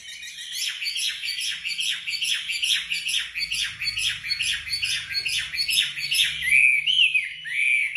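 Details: Wambi in gacor 'tembakan rapat' song, kept as a master for training songbirds: rapid, dense bursts of sharp chirps repeated about twice per second, ending in clear whistled upslurs, with a faint low hum behind.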